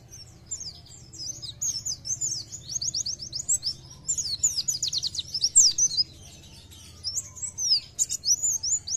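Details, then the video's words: Oriental white-eye in gacor nembak song, used to make other white-eyes sing more: high rapid trills and fluttering twitter runs in several bursts separated by short pauses, over a faint low hum. "PLECI GACOR NEMBAK BIKIN PLECI TAMBAH GACOR"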